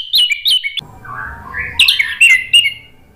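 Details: Orange-headed thrush song used as a lure to stimulate a bird that has stopped singing. Sharp whistled notes, then a softer, lower warbling passage with background rumble, then more loud, varied whistles.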